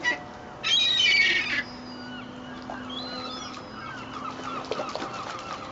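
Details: Sunny-day bread feeding of rowdy seagulls at Fleetwood Docks, 7/8/2012: a harsh, raspy squawk bursts out near the start, followed by thinner scattered cries over a steady low hum.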